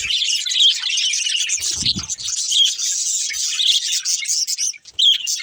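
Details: Budgerigars in a family flock chirp constantly while playing, a bright, even warble of high twittering notes, with occasional sharper whistles standing out and a short low rumble near the second second.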